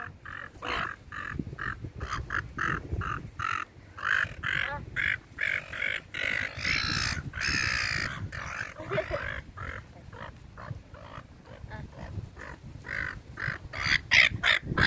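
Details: A flock of seagulls being fed in a park keeps up a busy chorus of short, harsh squawks and yelps, overlapping and rapid, with some human voices and handling noise underneath.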